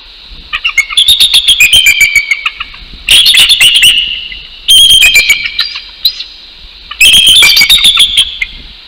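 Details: A bald eagle pair duetting at their northeast Florida nest at dawn on 12 January 2019, asserting territory. Four overlapping bursts of shrill, rapid chittering piping, each bout rising then trailing off into scattered notes.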